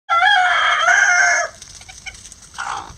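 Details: Rooster crowing in a backyard flock of Lavender Old English game bantams, Mille Fleur d'Uccle and Silver Duckwing chickens trying hanging cabbage; one loud, harsh, drawn-out crow of about a second and a half, then soft clucks.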